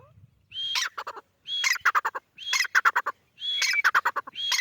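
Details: Grey francolin calling loudly: a high whistled note, then a fast run of harsh, ringing syllables, repeated about once a second.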